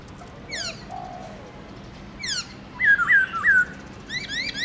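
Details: A captive black-throated laughingthrush (Garrulax chinensis) sings in the morning, loud clear whistled phrases that slur down and rise, several quick notes in a row, with sharp bright overtones and a soft background hiss.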